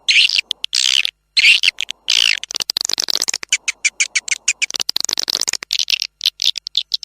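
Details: Swiftlet lure call, clean and without noise: harsh buzzy bursts separated by short gaps, then long runs of rapid dry clicking chirps with intermittent raspy chatter.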